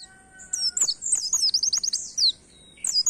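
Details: Oriental white-eye delivering canary-like song to stimulate songbirds: a rush of rapid, high, downward-sweeping notes in an even string lasting about two seconds, then a short restart.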